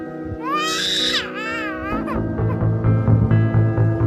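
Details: Black-collared starling (Gracupica nigricollis) gives a harsh, wavering screech for about a second, while background music plays throughout and takes over afterward.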